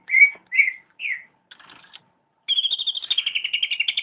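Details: Greater green leafbird in full song. Three clear slurred whistles come first, then soft chatter, then a fast, even trill of high notes that slides slowly downward.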